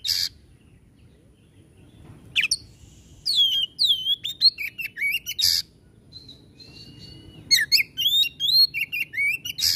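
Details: White-rumped shama, called kacer, singing hard to get sluggish birds going: loud rasping bursts frame sequences of sweeping whistled slurs and rapid varied notes, with quiet stretches between phrases.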